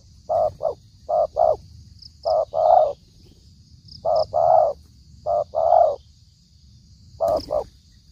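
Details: Spotted dove lure for trapping, described as very fierce: a run of paired coos, brief notes leading into longer rounded coos, repeated six times over low rumbling noise, with one sharp click near the end.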